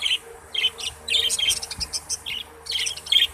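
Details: Chattering budgerigars, Australian parrots: quick bright chirps and scratchy twittering notes repeated every few tenths of a second, with a faint background hum.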